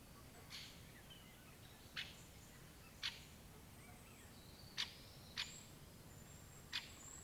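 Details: Great spotted woodpecker, a medium-sized woodpecker of Eurasia and Africa, giving sharp, abrupt single 'kix' notes at irregular intervals, six in about seven seconds, over soft background hiss and faint distant twitters.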